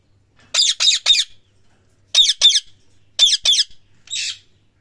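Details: Loud parrot chirping: short, scratchy, high notes in quick clusters of two or three. The clusters are separated by pauses of about a second, and the run ends on a softer single note.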